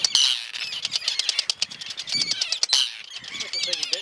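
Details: Arctic terns on the Farne Islands defending nests and eggs, snapping their bills in anger: rapid sharp clacks in bursts, mixed with harsh high squawking calls from the attacking birds.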